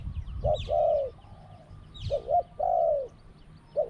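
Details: Spotted dove in a dove calling contest, with a small voice and two short 'kuk' notes before a drawn-out coo. It gives low, mellow coos, a short double note followed by a long falling coo, repeated every two seconds, with rustling in the background.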